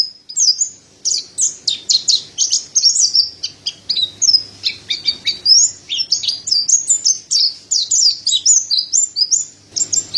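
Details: Mountain white-eye, white-breasted type, kept bird: continuous high, rapid twittering song with jumbled sweet notes and sharp chips, delivered without pause for about ten seconds, faint low background hum.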